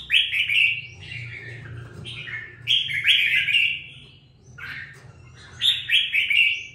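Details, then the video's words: Caged red-whiskered bulbul, two weeks after being bought, delivers loud warbling phrases of bubbly, descending whistles, three bursts across the stretch with brief pauses, over a low steady hum. "sau 2 tuần nuôi dưỡng em nó đã ra giọng có chút lửa"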